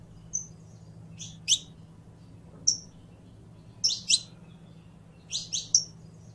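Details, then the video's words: Saffron finch uttering sparse high chirps and short whistles separated by gaps of about a second, over a faint steady hum. "CANTO DE CANARIO CRIOLLO CANTANDO"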